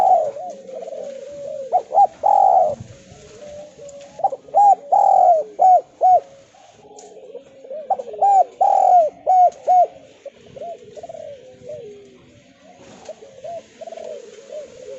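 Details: Spotted dove (tekukur, derkuku) cooing in the kuk2 style, used as a lure to get lazy doves calling: low, hollow coos in rhythmic groups of three to five, repeated with short breaks.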